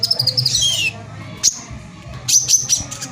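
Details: Sparse phrases from a brown-throated sunbird: a descending squeaky twitter, a lone sharp high note, then a short burst of thin whistled chirps, used as a lure to provoke other sunbirds into song.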